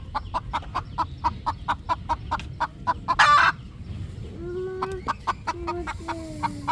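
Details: Poultry farm at evening sunset with three relaxing roosters: brisk repeated clucks, a harsh loud burst, then several drawn, thin whining calls mixed with further clucks.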